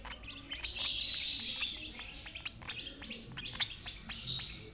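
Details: Young lovebird being hand-fed by an older sibling from the same parents: rapid, sharp high chirps repeated about three times a second, with bursts of hissy, raspy chatter between them.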